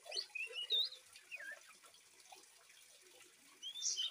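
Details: 3-month-old fledgling Oriental Magpie-Robin with natural flowing water: high, varied whistles and slurred chirps in short bursts at start and end, quieter twittering between. It is used as a master recording to prompt silent magpie-robins to sing.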